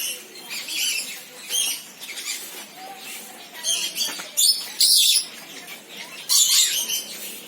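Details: Senegal parrot giving harsh, noisy squawks in short bursts, the loudest near the fifth and sixth seconds, mixed with faint thin whistled notes between them.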